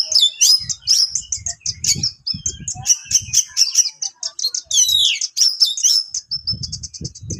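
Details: Sharp besetan song of an Oriental magpie-robin, meant to rouse rivals: dense bursts of shrill, high whistles and fast chattering notes, a swooping downward slur near the middle, and intermittent low knocking sounds underneath.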